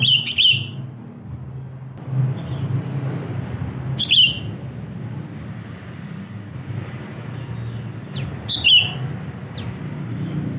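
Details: Sooty-headed bulbul giving loud, short, bright chirped notes spaced about four seconds apart, three in all, over a steady low hum of traffic and vehicles.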